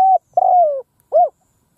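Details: Spotted dove decoy bird calling from the ground in an open field to lure wild doves: three cooing notes, a short steady coo, a longer slightly falling coo, then a short arched coo, no other sounds.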